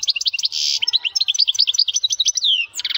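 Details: Strong song of a male goldfinch: bright, tinkling, rapid notes broken by two buzzy rattles and a falling slurred whistle, continuous and loud.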